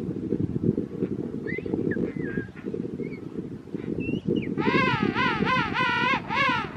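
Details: King penguin chick being fed at Parque Pinguino Rey: faint short whistles, then a loud, wavering, warbled trill lasting about two seconds, over a steady low rumble of wind.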